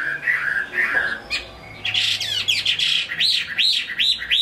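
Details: A Chinese hwamei from Hai Phong, Vietnam, sings loud, varied phrases, ending in a run of rich, repeated looping whistles about three per second.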